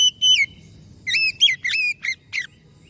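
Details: Oriental magpie-robin delivering a long, downslurred whistle, then a fast run of five or six bright, varied notes, some rising and some dropping; quiet low hum underneath.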